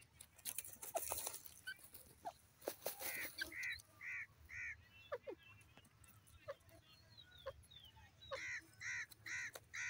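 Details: Grey francolin calling: short arched, harmonic notes repeated in bursts, about one every third of a second, with sharp clicks and rustling noise in between.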